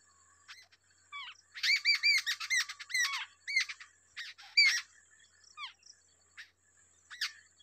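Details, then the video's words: Nestling babblers, two of them, being fed by a wild parent; scattered downslurred notes swell into a loud frantic cluster of rasping chirps, then fade to sparse single calls over a thin high hiss. "Wild babbler is feeding two different babies"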